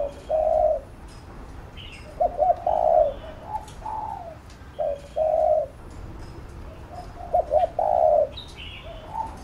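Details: Cooing spotted dove, kept for training a newly caught bird, repeats deep rounded phrases about every two to three seconds, each a short lead-in note then a sustained coo; thin high chirps of other birds sound now and then.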